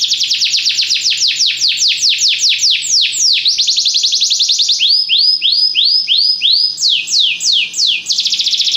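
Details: Belgian canary singing for training: long runs of repeated falling whistled sweeps, a section of arched rising-falling notes, and a closing quick trill, loud and unbroken.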